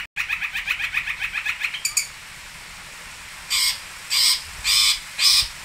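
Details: Long-tailed shrike (pentet) from Singosari: a fast even chatter of clipped notes for two seconds, then, after a pause, four drawn-out harsh rasping bursts.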